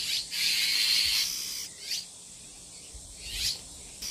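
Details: Protective calling of a Bull-headed Shrike mother over six chicks near a Geumsan, Korea farmhouse, smartphone recording: a long sustained hissing rasp over a second long, followed by shorter scratchy bursts spaced about 1.5 seconds apart.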